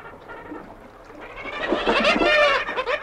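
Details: Two Black-legged kittiwakes, distant, give moan, alarm and pre-flight calls: nasal, wavering moans building into louder, harsher overlapping calls in the second half, about three per second.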